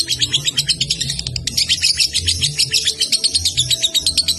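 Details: Young lovebird from Salatiga delivering sustained konslet song, a shrill, buzzy torrent of quick chirps with scarcely a pause, backed by a low constant hum.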